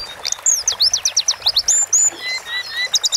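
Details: Sunda forktail singing in a masteran recording, a fast run of high, clipped whistled notes that sweep down in a rhythmic series, then a few softer, lower whistles and a closing burst of quick chips.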